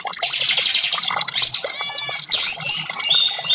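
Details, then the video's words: Orange-headed thrush song meant to stimulate caged birds that have stopped singing: a fast, rich jumble of high whistles, trills and buzzy notes, with clear upslurred whistles near the middle and end. "TERAPI Burung Anis merah 5menit burung macet langsung respon"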